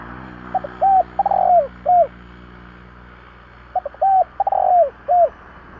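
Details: Spotted dove cooing to rouse decoy birds: two phrases of quick clipped notes, a longer falling coo and a closing downslurred note, over constant low hum and hiss.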